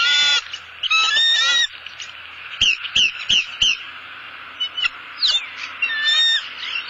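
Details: In southwest Florida, a male bald eagle delivers a headless fish to the female at the nest. A loud whistled chatter opens the clip, then a run of short sharp chips and more high, wavering calls follow.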